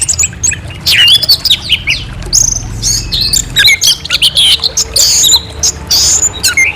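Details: Orange-headed thrush singing clear, varied phrases of rich whistles and rapid warbled notes, dense and continuous with brief gaps, some sharp high squeaks mixed in.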